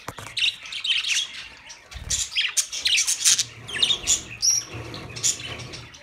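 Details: Budgerigars chirping, played for lonely birds: irregular bursts of scratchy warbling and squawks, with a few short high whistles and a low thump.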